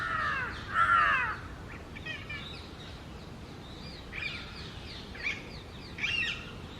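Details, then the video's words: Female Alexandrine parakeet calling from the top of an almond tree: one loud, harsh, harmonic squawk near the start, then three shorter, fainter squawks spaced about a second apart, over steady outdoor background noise. "Parrot Natural Sound | Alexandrine Parrot Voice | Pahari Tota Natural Sound"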